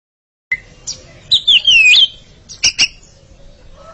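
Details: A pair of Oriental magpie-robins singing against each other: after half a second of quiet, a clear whistled note, then a quick phrase of sliding, warbling whistles, followed by two sharp clicky notes and a softer trailing whistle.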